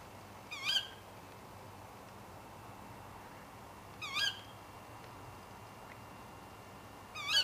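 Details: A female tawny owl calling late at night gives three sharp, shrill 'ke-wick' calls, roughly every three seconds, over a quiet, steady background hiss.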